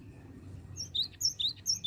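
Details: Cinereous tit (gelatik batu) in the 'bocor' song style: a quick flurry of high, sharp two-tone whistles, upper and lower notes alternating, over a soft low rumble.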